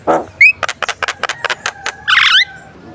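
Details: Javan myna (jalak kebo) song meant to train birds for competition: a whistled upslur, a fast series of sharp clicking notes, then a loud harsh buzzy burst.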